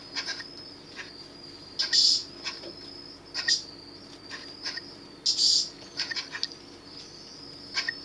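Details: Rescued Eurasian scops owl chicks, three young fallen from a felled nest tree, kept at the Monte Adone centre in July 2012; repeated high, breathy hissing bursts over a constant thin high-pitched hum.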